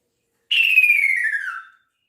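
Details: One long descending whistle from a male kaso-kaso bird calling its mate, clean and steady, dropping gradually for just over a second with no other sounds.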